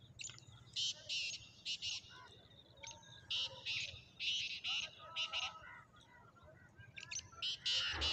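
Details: Black francolin (Kala Sindhi or Sahiwal teetar) calling on 14 March 2024; repeated phrases of loud, harsh, grating notes fill the recording, with a few thin whistles between them and a steady low background noise.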